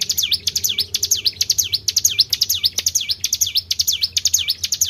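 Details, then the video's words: Tribel bird sound used as a lure for other birds: rapid, repeated high whistled notes, each sweeping down then sharply up in a V shape, about two per second, with a steady low hum beneath. "PANCING BUNYI BURUNG TRIBEL"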